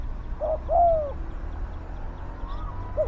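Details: Spotted dove calling while used to lure wild doves: a short clipped coo followed by a longer, smooth downward-sliding note, then another brief coo at the end over a low background rumble.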